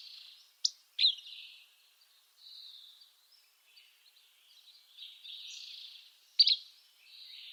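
Sharp, high chip notes, two close together early and one later, set among soft, thin, buzzy trills. No other clear sounds stand out.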